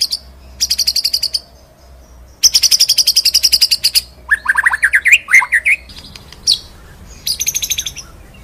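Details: White-rumped shama in a masteran (tutor) recording of full rolling 'ngerol' song with 'nembak' high shots: fast buzzy trills at high pitch, then a burst of sweeping whistled notes, then more rapid trills.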